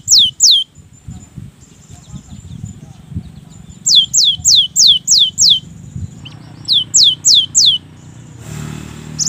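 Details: Singing Cinereous tit on a lure track to coax reluctant birds: short bursts of crisp falling notes, a pair, then six, then four, separated by gaps of quiet hum, ending in a noisy rustle.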